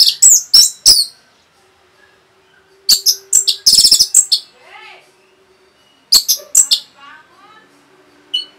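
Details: Rapid song of an Orange-headed thrush meant to excite other birds: bursts of high, sharp chirps and buzzy, trilled notes, with softer, lower whistled phrases from another bird in between.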